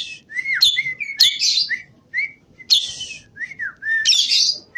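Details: Javan pied starling singing vigorously in a quiet room: clear whistled notes that slide and bend alternate with loud harsh, rasping bursts, the phrases spaced by short pauses.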